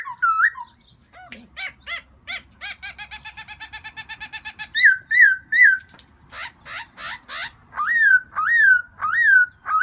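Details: Black-throated laughingthrush calling for a new mate in springtime: a fast series of short clipped notes, then loud looping whistles repeated about every half second, rising and falling.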